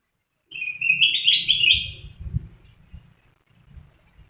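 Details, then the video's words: Sooty-headed bulbul giving a short liquid warbled phrase of rapid slurred whistles. It ends by the two-second mark and is followed by low thumping and handling knocks. "Kicauan Kutilang Emas"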